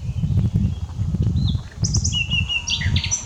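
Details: Brief fragment of common nightingale song, unedited: a thin whistle, then a quick sequence of high repeated notes and a buzzy trill, over low rumble.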